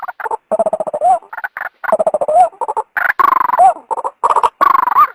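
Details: Calls of a female white-breasted waterhen used to draw the male from cover: dense, loud series of grating croaks and throaty grunts, with a few upturned squawks, in fast, uneven bursts.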